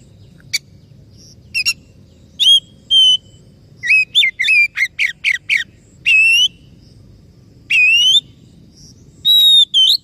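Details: Oriental magpie-robin singing to encourage a silent, stressed bird: scattered sharp chips building into a fast string of bright whistled notes, followed by longer rising whistles spaced a second or more apart.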